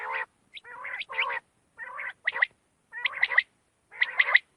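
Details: Night calls of quail, recorded for hunting use: separate short bursts of gargling, buzzy notes with bright clicky accents, about six phrases spaced under a second apart, with clean silence between them.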